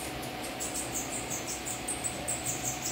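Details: Bananaquit song: a rapid series of very high, thin, buzzy notes, roughly three per second, over a steady low hum and background noise.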